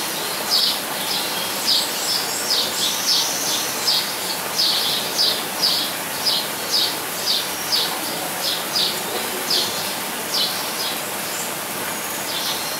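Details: A Blue-and-yellow tanager (Thraupis bonariensis) in an aviary at Weltvogelpark Walsrode, Germany, gives a run of high, thin, clipped notes, about one or two a second and fairly irregular, over a steady background hiss.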